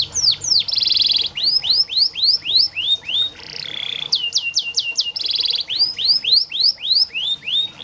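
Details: Canary singing for training other canaries that sing little. Rolling trills and rapid series of falling whistles repeat in tours, with a brief softer warbled passage in the middle.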